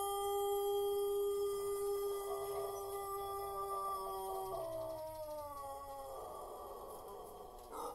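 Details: Drawn-out crow of a Pelung chicken, the breed's famed long crow. A steady, ringing note is held for several seconds, then wavers and slides downward into a rougher, fading ending.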